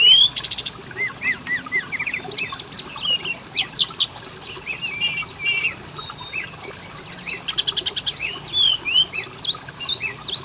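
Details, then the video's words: Lure recording of Oriental magpie-robin meant to set both males and females singing: bright whistled notes, sharp rising sweeps, fast trilled runs and clipped chirps tumble in varied phrases nearly without break. "Pancingan burung Kacer; jantan betina langsung bunyi"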